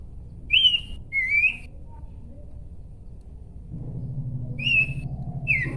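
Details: Pairs of sweet whistled notes from a Horsfield's babbler, the second of each pair swooping upward, with a long pause between pairs and a low background hum later.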